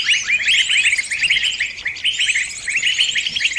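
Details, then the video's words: High, urgent chirping from a trapped bird crying out to its friends: tight clusters of quick notes in three or four bursts separated by brief gaps, with shrill twittering overhead. "Suara burung kejepit & mintatolong ke teman teman nya"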